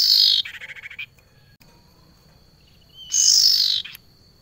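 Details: Female barn owl calling a male: two harsh, hissing screeches, one at the start and one near the end, each under a second long, with a faint thin whistled tone held between them.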